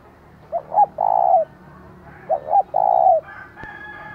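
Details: Spotted dove kept as a decoy, giving its giọng thổ style urging call to stir up wild doves. Two phrases of paired short coos end in a sustained coo. A rooster starts crowing at the end.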